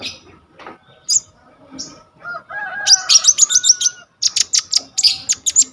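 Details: Konin or brown-throated sunbird, singing gacor with full isian as tutor song for kolibri ninja, recorded on a vivo y21 phone: scattered soft notes and a lower warbled whistle lead into rapid runs of high sharp chips, nearly four per second.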